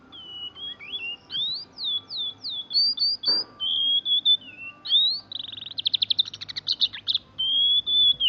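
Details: Kacer, the Oriental magpie-robin, delivering rich varied song: sweeping whistled notes, rising and falling slurs, then a fast stuttering rattle and a long steady whistle near the end, one faint click midway.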